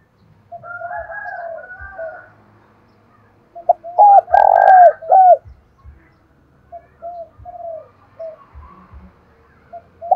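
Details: Spotted dove used as a decoy to call wild doves, 'thổ đồng' voice: soft coos, then a loud burst of hoots around a rough buzzy note, followed by quieter coos; a higher second bird answers faintly.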